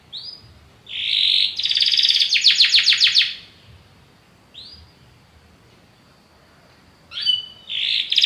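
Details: Belgian canary with bursts of rapid rattling trills and a rising note, separated by quieter pauses, against a faint background hiss.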